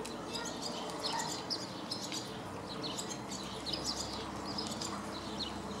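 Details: Barn swallow recorded on 24 May 2014 in Vrbje street, Zagreb, Croatia: rapid high twittering chirps and short buzzy notes run throughout, over a steady low hum of city background noise.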